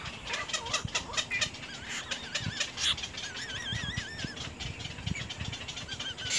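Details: Little egret chicks in the nest biting at the adult; rasping bursts early, then drawn-out wavering whistled calls, with clicks and rustling beneath.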